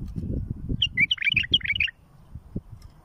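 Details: Bulbul song played for tutoring young birds and bringing chicks to fledging: a quick burst of about a second of bright, warbled, whistled notes, jumping up and down, over a steady low rumbling background.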